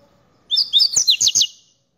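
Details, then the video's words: Hybrid seedeater, a cross between Double-collared and Buffy-fronted seedeaters, delivers a short phrase of about six high, bright slurred whistles with sharp clicks, over within one second against a quiet background. "Mestiço Hulk nos encantando com o seu canto!"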